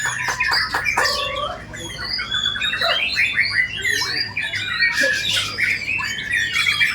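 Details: White-rumped shama, locally murai batu, singing in the bowing posture; its sharp isian-filled song opens with clipped ticking notes, then runs through clear whistles, rapid trills and rising slurs.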